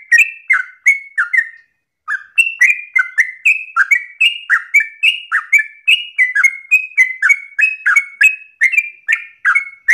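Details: Long-breathed, insistent yellow-vented bulbul song meant for other birds to learn: a chain of quick liquid whistled notes, dipping and rising, broken by a brief pause near two seconds, then resuming in a steady unbroken stream.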